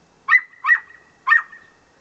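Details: Pet parrot imitating a dog's bark at the neighbours' dog: three short, harsh, barking bursts, each trailing into a thin steady whistled tone, about half a second apart, in a quiet setting.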